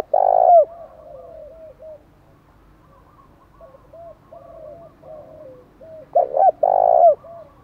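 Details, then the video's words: Spotted dove fighting call meant to make even stubborn wild birds coo back: a strong hooted coo, a series of softer repeated coos, then a loud double coo with a long held note. "Tiếng chim cu gáy thúc đấu rú bổi gây ức chế rất cao, bổi lỳ mấy cũng gáy theo liền"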